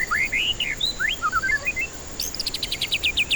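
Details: White-rumped shama singing, played as a lure for stressed, silent birds: a quick run of rising and falling whistled slurs and trills, then a fast, evenly spaced series of sharp high pulsed notes over a faint constant hum.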